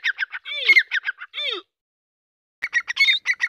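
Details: Call of a young Deccani grey francolin: quick choppy squawking notes mixed with two arched, drawn-out descending notes, then a silent gap and another short burst of harsh repeated notes.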